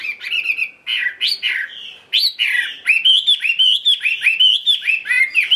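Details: Tame caged Chinese hwamei singing solo at midday: loud, rich whistled phrases sliding up and down, turning into a quick run of repeated rising-falling slurred notes over the last three seconds.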